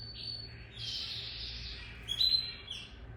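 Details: Lizard canary giving soft, quiet song: a thin whistle, a hissing buzzy phrase, then a brief brighter burst of high whistled notes, with steady low hum in the background.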